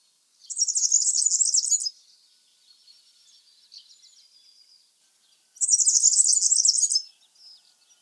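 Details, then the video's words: European Serin singing two rapid, high, jingling bursts about 1.5 seconds long, like tinkling glass, with faint softer twitters between. "European Serin"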